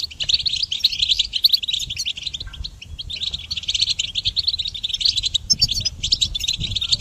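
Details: Goldfinch singing to train songbirds: long phrases of rapid, jingling twitter and buzzy notes with a short lull near the middle, then a resumed chatter over soft low background noise.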